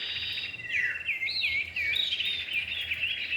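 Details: Male and female common iora (cipow) in a bird-luring recording: looping whistled notes that swoop down and up in quick curls, running almost continuously over a steady high buzzy trill.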